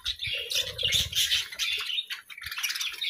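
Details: Several pet parakeets chirping and squawking together, a busy stream of bright overlapping twitters and short harsh notes, with soft low rumbles at the start.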